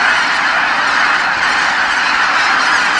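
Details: Geese flying home to Kabukuri-numa marsh at nightfall, all calling together; a short burst of thick, continuous honking from a very large flock.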